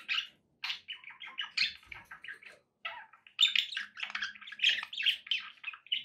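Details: Budgies keep up a lively warble of rapid squeaks, buzzes and chirps, growing denser and louder in the second half, over a faint low hum.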